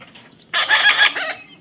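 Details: Parrot playing in a field, giving a short run of grating, harmonic syllables that swell and fade over about a second, with faint background hiss.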